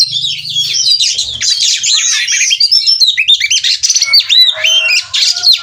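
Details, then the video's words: Oriental magpie-robin, in breeding condition and ngobra mood, from a Cirebon, Indonesia breeding farm; loud, continuous torrent of high chirps, warbles and twittering slurs, nearly unbroken throughout, a brief low buzz at the start. "Kacer Minta Kawin Bongkar Materi Terapi Ampuh Stabilkan Birahi dan Emosi/Kacer Ngobra"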